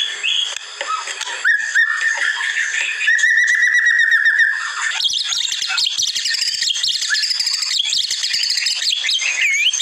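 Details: White-rumped shama, masteran tutor song to prompt caged birds to reply: rich varied whistling with rapid chattering runs and high sharp notes, dense and unbroken throughout.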